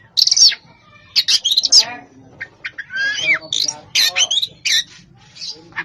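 An Oriental magpie-robin sings a lively, varied song: bright whistles, rising slurs and harsh chattering notes in quick bursts, with brief pauses between phrases.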